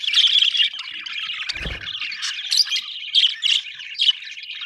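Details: Budgies, described as happy, give a constant high warbling chatter broken by louder chirps, with a low rumble early on.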